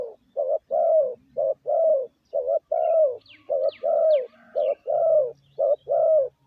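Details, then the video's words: Spotted dove lure call for decoy training: regular pairs of low, smooth coos, a short note then a longer falling one, nearly once a second, with a few quick high chirps from another bird midway. "Tiếng chim gáy gù gọi mồi cực chuẩn"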